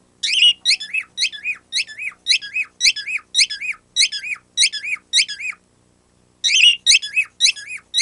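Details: Pet bird squeaking like a squeaky toy, a sound it was not taught: a fast series of about twelve shrill, bouncy notes at a steady clip, a short break, then four more squeaks.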